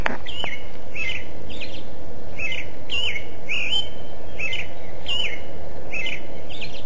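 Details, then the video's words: Singing bird giving quick, high chirped notes in a steady series, about two per second, each a sharp up-and-down flick, against a constant low background hum. "bird song"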